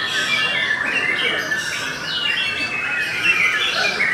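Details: Belanda-type white-rumped shama in continuous song, rapid rich warbling with quick rising and falling whistles and scratchy churring notes packed closely together, no pauses across the stretch.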